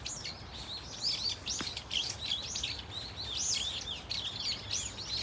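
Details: Varied calls from a Brown-eared Bulbul flock at Dunsan Grand Park: piercing high squeaks and looping whistled notes, several birds overlapping, with one short sharp click partway through.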